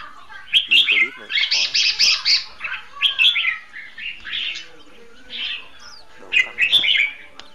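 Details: Caged decoy Red-whiskered bulbul singing in competitive style to lure birds into a trap: loud, quick clusters of bright chirped notes, rapid bursts at the start, then spaced phrases, with faint talking underneath.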